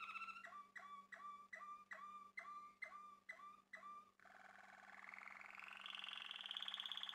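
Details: Male Malinois Waterslager canary singing a series of eight hollow, water-like double notes repeated evenly. These are followed by a long, bubbling, rolling passage that slowly rises in pitch.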